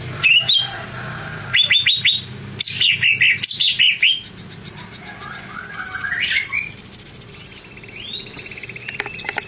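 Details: Lively greater green leafbird song opening with a fast series of repeated sharp, downward-swept whistles, then softer warbled phrases and chirps, with a low hum running throughout.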